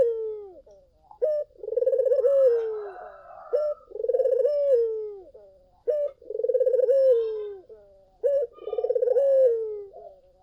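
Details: Collared dove cooing, offered as a lure to get other doves to reply. Each phrase opens with a brief sharp note, then a long rolling, tremulous coo that falls at the end. Four phrases at a steady pace, with faint chirps in between.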